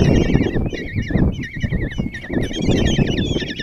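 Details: Common kestrel chicks at a Tiszalök nest box in Hungary, begging as the female delivers breakfast on June 26, 2024; rapid wavy trilled squeals in short overlapping runs above dull bumping and rustling.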